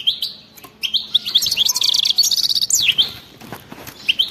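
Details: A European goldfinch delivers bitbita in khalawi style, fast chattering twitters rising into a continuous buzzy trill with swooping notes, ending in scattered short chirps.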